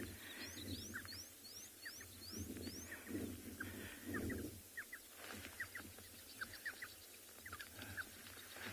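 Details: A mother sandgrouse in Tswalu Kalahari Reserve, South Africa, calls at sunset on 14 November to camouflaged chicks hatched a day or two earlier: a run of thin rising peeps, then soft paired notes, over a game-drive engine rumble and wind.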